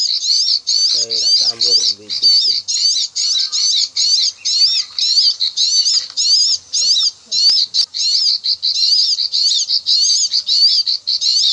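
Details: Bar-winged prinia, known locally as ciblek, a lure sound used for bird trapping in ricefields: rapid high clicking notes in dense, steady runs, nearly continuous, with a brief lower chattering near the start.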